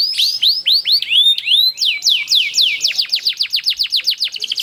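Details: Long rolling canary song meant to draw other canaries into singing: loud series of sweeping downward whistles, speeding up into a fast, evenly repeated string of sharp notes in the second half.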